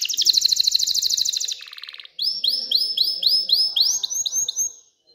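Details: Canary singing excitedly to encourage females to mate and nest: a fast shrill trill drops to a softer, lower rattle, then a series of arched, rising-and-falling whistled notes repeated about twice a second.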